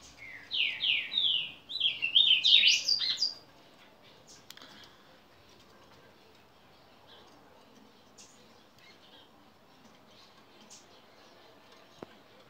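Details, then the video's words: Hybrid Ultramarine Grosbeak cross (reina mora × azulito), singing like a reina mora while eating: a bright, quick warbled phrase of rising and falling whistled notes lasting about three seconds, then near silence with a few faint chirps. "Reinamora/azulito cruza"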